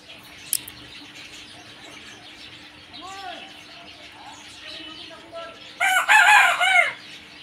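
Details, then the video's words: Rooster crowing among other fowl: faint arched calls midway, then a loud, harsh, harmonic crow near the end lasting about a second, over a steady low hum. "Crowing cock"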